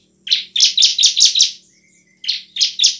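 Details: Bar-winged prinia song, played as a lure to get lazy birds singing: a quick series of five high, buzzy chips, a pause, then three more, over a faint low hum.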